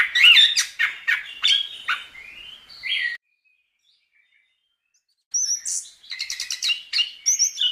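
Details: Chestnut-capped thrush in vigorous tutor song for training caged songbirds: loud, varied whistles and trills, then about two seconds of silence, then a fresh burst of squeaky, high, rapidly changing phrases.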